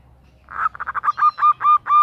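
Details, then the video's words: Calling to the male, a female zebra dove starts with a rapid flutter of short notes. These slow into four longer, flat, evenly spaced hooting notes, each clear and ringing. "Perkutut betina memanggil JANTAN - Suara BETINA GACOR Mengundang Bunyi"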